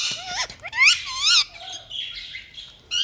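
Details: Pet Indian ringneck parakeet calling in a room: a short rising squeak, then loud wavering, harmonic-rich squawks, a quieter hoarse buzzy passage, and a final sharp burst.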